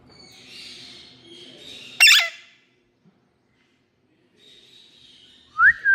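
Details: Indian parrot, a pet ringneck, gives a sudden harsh screech that slurs downward, then after a pause a short rising squawk, with faint hissing sounds before and between the calls.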